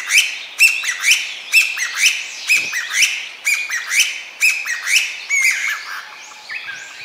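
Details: Wild Chinese bamboo partridge in full song, the phrases heard as "chotto koi": a rapid run of shrill, ringing whistled notes, each a rising slur, repeated over and over, with echoing overlap in the second half.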